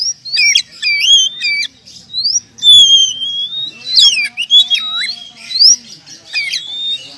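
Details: Champion contest oriental magpie-robin singing clear sweeping whistles, rising and falling slurs and a long flat whistled note, mixed with sharp clicks and chips.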